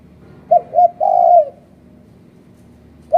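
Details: Spotted dove call used as a lure for bird trapping in Malaysia: two short soft coos and a longer drawn-out coo, then another short coo begins, with a low background hum.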